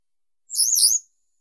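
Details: Western yellow wagtail giving a single high, drawn-out, wavering note lasting about half a second, clean and isolated.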